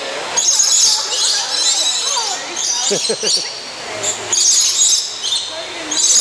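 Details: Captive lorikeets feeding on nectar at Bird Kingdom in Niagara Falls. A dense chorus of shrill, high screeches and chatter runs throughout, with a brief lower voice-like sound in the middle.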